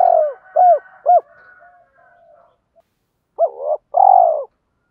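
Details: Decoy spotted dove calling to lure wild birds. Three short, low, hooked coo notes end a phrase. A quiet pause follows, then a new phrase opens with a doubled coo and a long, steady, mellow note.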